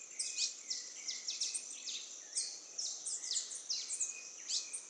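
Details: A young male Brazilian tanager calls while scratching its feathers in Atlantic Forest at Ubatuba, São Paulo, Brazil, at 17:20 on 11 January 2019: thin, high, squeaky chips and quick down-slurred notes, about a dozen in five seconds, some overlapping.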